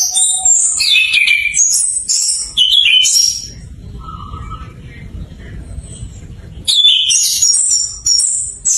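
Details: Lure song of an orange-headed thrush learning to sing in full voice: bursts of rapid high whistled and trilled phrases, a quiet gap with low background rumble and a soft single note, then singing resumes.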